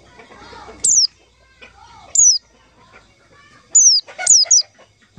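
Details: Lure call for trapping white-eyes: piercing, high downslurred whistles, first spaced apart, then three in quick succession near the end, with faint chattering and a soft lower warble in the gaps.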